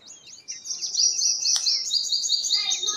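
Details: Purple sunbird singing a high, thin, rapid twittering trill that starts with a few scattered notes, then runs into a loud, fast, even series of sharp notes, ending in a quicker stuttering run.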